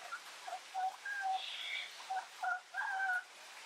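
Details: A yellow-crowned (yellow-headed) amazon, possibly subspecies ochrocephala, recorded close-up, gives a run of rough, warbling squawks and nasal whistles, some doubled, in irregular bursts over a few seconds.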